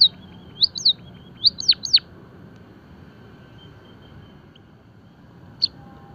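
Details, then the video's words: Java sparrow song for birdsong training and stimulation: a few high chirps, then three downward-sweeping whistled notes near the two-second mark, and a lone chirp later over a faint low hum. "emprit kaji gacor - masteran dan pancingan burung pipit jawa"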